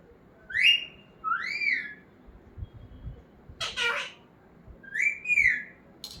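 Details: Pet parrot that talks, making arched whistle-like calls in pairs, then a harsh noisy burst, followed by another pair of rising-falling whistled notes and a brief sharp sound at the end.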